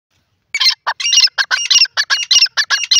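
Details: Male Grey francolin calling: a loud, harsh series of high, rapid notes, about a dozen bursts in quick rhythmic succession after a brief silence.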